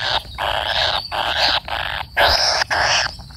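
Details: Kingfisher chick waiting for its parent, begging: loud harsh rasping bursts, each under a second, broken by short silences, about five in a row.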